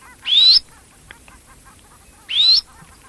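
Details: Red-necked phalarope: two loud, high chirps, each a short upward-sweeping note, about two seconds apart, with faint low rumble between.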